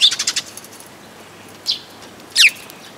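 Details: Sparrow recorded at a Tenmangu shrine on 14 May 2022, opening with a rapid burst of five high chirps, then two louder, separate downslurred tweets spaced about a second apart over quiet background.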